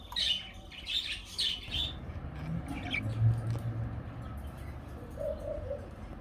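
Budgerigar giving quick, bright chirps in a short burst, then falling quiet over a low rumble.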